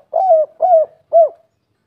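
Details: Derkuku, the spotted dove, in the 'kuk 3' song style of the local wild voice: three mellow arched coos, evenly spaced about half a second apart, the last slightly cleaner and fading out.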